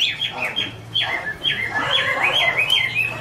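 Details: Female Chinese hwamei singing, a male audible behind her, kept bird: clear whistled notes sliding downward in short phrases, repeated about every half second, with a lower warbling layer beneath.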